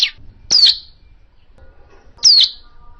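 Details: Hill prinia calling, as used to lure birds for trapping: single sharp, high notes that slide downward with a slight buzzy tail, spaced about one and a half seconds apart.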